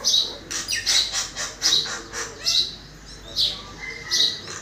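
A common myna gives loud, harsh squawking notes mixed with short whistles, about one every second, over a faint background hiss.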